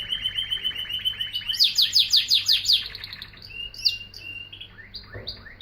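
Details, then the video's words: Singing canary delivering a fast buzzy trill that breaks into a series of sharp descending sweeps, followed by scattered chirps and rising whistles, over a faint background hum. "Singing Canary"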